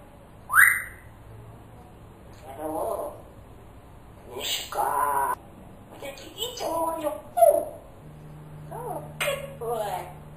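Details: Pet parrot mimicking human speech, the bird that calls for its owner each morning, asking where he is and whether he drank his coffee; short human-like spoken phrases with a sharp whistle near the start, over a low steady hum.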